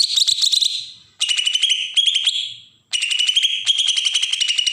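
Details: Three dense, scratchy pulsed rattles from a Bornean green leafbird in Berau, Kalimantan, given almost back to back in the besetan style used to provoke young birds.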